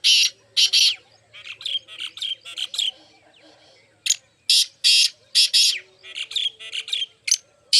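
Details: Nearly continuous partridge calling: strong harsh notes alternating with quicker, softer rasps in a rhythmic run, faint bird chatter underneath.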